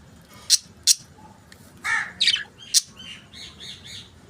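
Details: Budgies chattering: sharp high squeaks, a harsh rasping squawk, then quick twittering notes and soft warbled phrases, lively and irregular.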